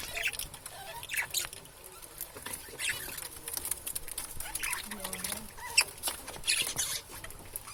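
Budgerigars chatter in quick, scratchy chirps and clicks, a busy warbling stream of short notes.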